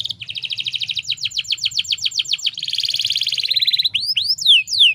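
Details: Lure recording of a female canary in breeding condition, meant to spur male canaries in Indonesia to sing: a fast, steady trill of repeated notes, a buzzy rolling section, then sweeping upslurred whistles.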